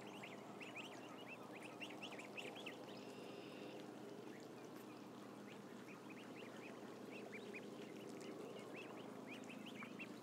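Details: Roughly a thousand ducklings peep in a busy unbroken chorus of short, high, bent whistles, with a brief steady tone heard partway through and a faint hum throughout.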